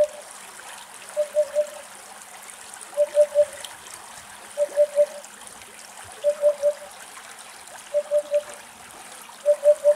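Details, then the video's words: Eurasian hoopoes foraging along a roadside in Greece, part of a flock of about eight to ten, give soft, low, hollow triple hoots, "oop-oop-oop," about every one and a half seconds over trickling water. "Τσαλαπετεινός Φωνές"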